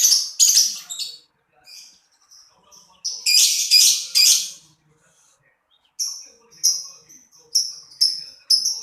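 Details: Lovebird giving scratchy squawks, then harsh buzzy bursts, then evenly spaced high piercing chirps about every second near the end.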